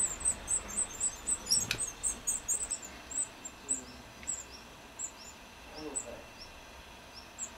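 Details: Black redstarts feeding young in Lipník nad Bečvou, Czech Republic, give very high, thin squeaky notes, rapid and clustered at first, then spaced out over a soft background hiss.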